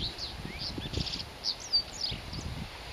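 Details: Japanese wagtail singing hard in wind, giving faint, high, scratchy chirps and short twittering phrases scattered over three seconds, over low rustling and thumping wind noise.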